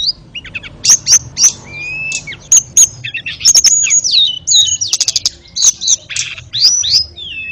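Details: Ashy tailorbird singing as a master for canary and magpie-robin training; sharp high notes, a longer level whistle, and clusters of fast chirps alternate with short pauses across the phrase.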